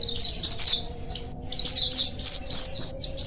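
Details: Colony of oriental white-eyes singing, used to encourage lazy birds to sing; bright, thin warbled phrases swoop downward, repeated in quick bursts with brief pauses, several voices overlapping.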